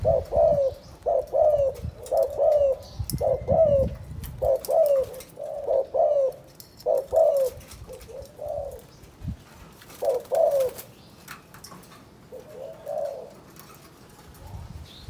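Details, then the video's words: Spotted dove from Can Tho, Vietnam, calling 'chụp chụp ô': repeated groups of low, mellow coos at about one per second, with pauses, a faint rumble early on, and the final phrases softer. "Chụp chụp ô gáy gọi Thái Vân hoa : Cu gáy Cần Thơ"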